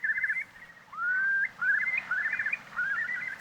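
Eurasian curlew song: a long, clear whistle slides upward, then breaks into quick bubbling trills that rise and fall, repeated several times. Faint low background hum.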